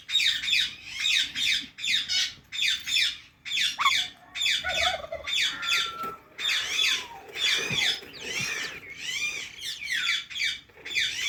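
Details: Indian ringneck parakeet squawking loudly and continuously, harsh grating calls repeated about once a second for over ten seconds in a small room.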